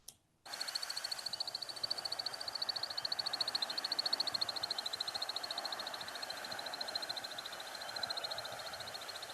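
American Woodcock wing twittering: a fast, steady stream of high, thin twitters, several per second, rising and falling slightly in intensity, made by the wing feathers in display flight.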